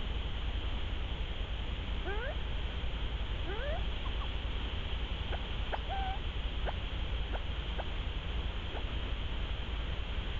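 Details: Ruffed grouse in Québec giving two thin, rising squeals, then a scattered run of short, sharp chips, all over a steady low rumble and hiss.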